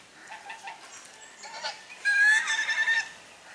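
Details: Domestic swan geese drying their bodies alongside grey domestic geese, filmed with a Sony HDR camera; soft scattered calls, then a louder harsh honking burst with a thin rising whistle-like tone near the end.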